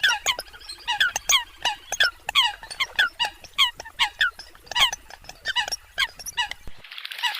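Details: Eurasian coot: a rapid series of sharp, nasal, harmonic-rich calls, each short and slightly rising, repeated roughly every quarter second in clusters, ending with a burst of broad noise.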